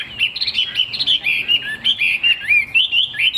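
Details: A caged fig-leaf-tailed Chinese hwamei sings loud, ringing whistles, each phrase a quick rising or falling slur, delivered in a steady, lively stream with short gaps.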